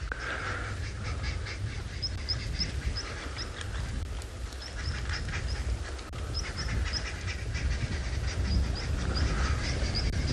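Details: Arrow-marked babblers, loud and noisy, on a windy morning game drive on 30 July 2021 in a South African game reserve give a harsh chattering chorus in repeated bursts over heavy wind rumble, with high thin chips from another bird.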